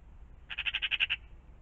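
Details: Morning magpie by a pond giving a single rasping rattle, roughly eight evenly spaced harsh notes run together in about 0.7 seconds, then quiet.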